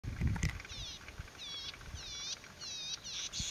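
Golden-headed cisticola giving a run of high, buzzy, rasping phrases, about five in quick succession, over a low rumble and a brief thump at the start.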